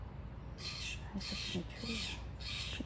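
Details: Steller's jay in a tree beside crocosmia in a Seattle yard, giving four loud, grating, noisy calls evenly spaced about half a second apart, with faint low murmuring underneath.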